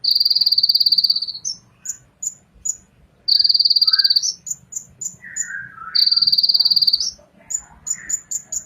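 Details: Ninja sunbird singing steady, rapidly pulsed buzzy trills of about a second each, broken up by thin high ticks and a few short lower slurred notes between the trill bursts.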